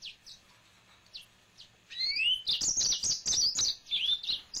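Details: A male yellow-fronted canary (Serinus mozambicus) opens with a few soft, high chips, then breaks into a fast, bright song of sweeping whistles and buzzy trills.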